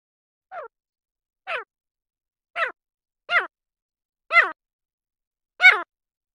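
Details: Grey francolin calling with six husky, descending notes spaced about a second apart, starting soft and building steadily louder with each note.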